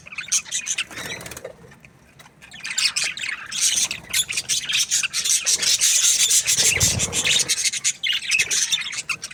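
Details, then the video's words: Budgerigars in an aviary, a dense chorus of scratchy, warbling chatter and short squawks running almost continuously, bursts overlapping from several birds, with a faint low thump near the middle. "Amazing Budgies Aviary | budgies chirping sounds"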